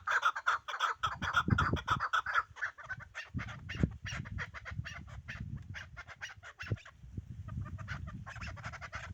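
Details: Pamir chukar partridge calling: a quick run of short, repeated chuk notes for about two seconds, then a noisy stretch with rustling and low rumbling over scattered fainter notes.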